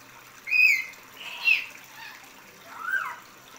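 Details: Common hill myna beginning to learn speech gives three separate squawky, whistled notes about a second apart, the first and second bright and strained, the last lower and falling, with faint water noise behind.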